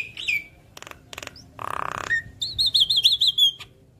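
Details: Javan myna song used as a lure to make other mynas sing back: a falling whistle, clicks, a coarse buzzy burst, then a rapid rolling warble of high, bouncing notes.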